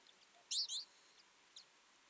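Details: Two loud, clear high chirps from a feeding twite flock in winter, followed by fainter distant twitter notes.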